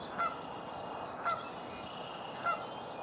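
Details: Virginia rail in a local park in the morning: three short, sharp nasal notes spaced about a second apart, standing out over a steady background hiss with faint buzzy sounds higher up.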